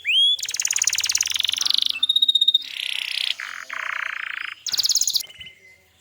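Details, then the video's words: Canary training song meant to tutor young birds and coax silent canaries into singing: a sequence of rolling, rattling trills at different pitches, each held about a second, with short sharp whistled notes between them. "suara burung Kenari Gacor Masteran Burung Kenari Paud & Pancingan Kenari Macet Bunyi"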